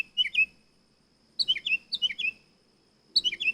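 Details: Nightingale song: brisk groups of high, falling chirped notes given in short bursts, a phrase, a pause of about a second, then several repeated note groups, then a pause and a final burst.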